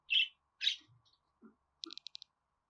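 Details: Budgerigar calls for pet budgies: two loud buzzy chirps, soft low murmurs, then a quick series of five clipped ticking notes.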